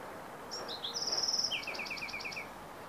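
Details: Bewick's wren singing in Carmel Valley, San Diego, on 15 April 2019: a couple of high slurred opening notes, a fast dry buzzy trill, then a run of about seven quick descending notes, over steady background hiss.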